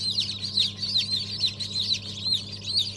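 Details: Freshly hatched Habeş, Sultan and İspenç chicks, December 2022, giving loud, piercing, downward-slurred peeps about two per second among a many-voiced chorus, with a faint low hum.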